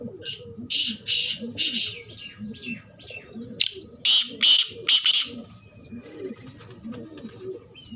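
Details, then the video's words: Black francolin calling twice in succession, each a series of loud, grating high notes, the second sharper and clipped. Soft repeated cooing of doves lies beneath. "Kala teetar mast bolar khubsurat awaaz"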